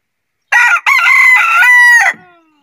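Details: Rooster crowing during the day: one loud, harsh, harmonic-rich crow about one and a half seconds long, a short clipped opening note, then a sustained even middle and a falling tail, on a silent background.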